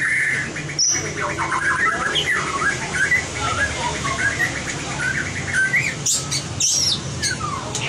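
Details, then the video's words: White-rumped shama in competition-song training, giving a rambling warble of fast varied notes, a few high whistles and chips, over steady low hum. "Luyện giọng chòe lửa - luyện chòe lửa hót đấu (murai batu)"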